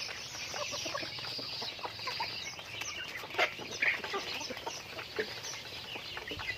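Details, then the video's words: Chickens during daily activity, a flock giving rapid, irregular clucks and chatter, with a couple of louder sharp calls midway. "Natural Sounds of Chickens"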